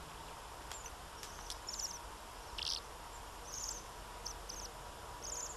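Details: Several high, thin trilled calls of Bohemian waxwing at irregular intervals, with one harsher broad note midway, over steady background noise and a low hum.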